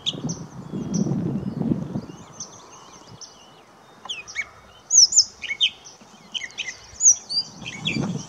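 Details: Gray catbird at St George Marsh, Charlotte County, New Brunswick, on 20 May 2016: scattered short squeaky and whistled high phrases, separated by pauses, with low rumbling noise at the start and end.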